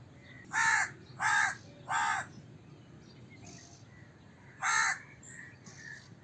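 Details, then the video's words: Series of harsh crow caws: three rapid calls, a pause with faint distant chirps, then one more caw, over light background noise. "Crow Cawing Sound Effect, Voice of Crow, Crow Call Sounds, Crow Calling Sound, Crow Caw"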